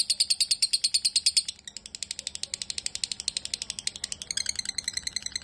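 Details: Lovebird of the fighter type: a burst of loud high chirps, a short softer stretch, then renewed quick chattering with harsher notes at the end.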